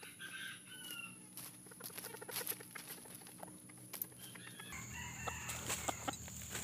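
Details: Decoy red junglefowl, white-legged 'bule' type, crowing to draw wild birds during trapping: a short harmonic crow at the outset and another after five seconds, among clicks, rustling and scattered knocks.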